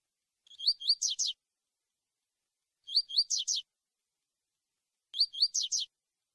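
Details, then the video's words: Three identical tui tui phrases from a lined seedeater, recorded for preparing young brown birds for contests: each has two rising whistled notes ending in rasping falling buzzes, spaced roughly two seconds apart. "COLEIRO TUI TUI PARA PREPARAR OS PARDOS"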